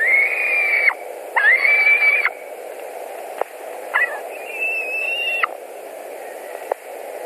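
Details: At a white-tailed eagle nest in Latvia, evening of 11 July 2020, with a bird returning for dinner: two strong held whistles, then scattered clicks and a fainter higher whistle, against a steady droning background.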